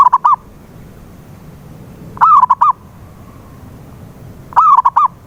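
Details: Zebra dove lure call for a mute dove: the tail of one phrase, then two complete ones about two and a half seconds apart, each a quavering coo followed by short, rhythmic notes, over quiet hiss.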